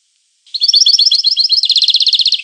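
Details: European goldfinch delivering a sustained run of quick liquid twitters that shift into a steady, rapidly repeated trill; clean recording without background noise.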